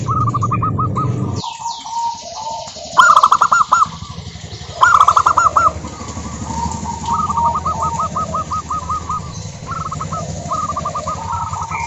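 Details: Local zebra doves singing in a group, used to prompt other doves to sing: stuttering, bubbling coo phrases repeated by several birds, some loud and close, with a humming low background.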